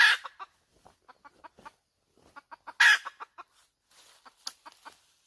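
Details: Hen calling: two loud, harsh squawks about three seconds apart, each followed by a series of short, evenly spaced clucks that fade toward the end; no other clear sounds.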